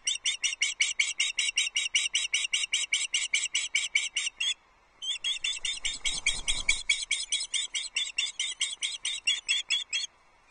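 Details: On the Loch Arkaig nest, 9 July 2022, an osprey chick begs as breakfast arrives: long, insistent series of loud, high piping chirps, briefly pausing, then resuming over a low rumbling thud.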